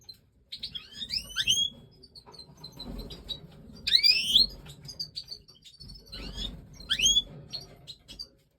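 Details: Major goldfinch (Stieglitz) in breeding time singing three separated bursts of high, rapidly rising swept twittering notes, with soft scattered chips between and a low background rumble.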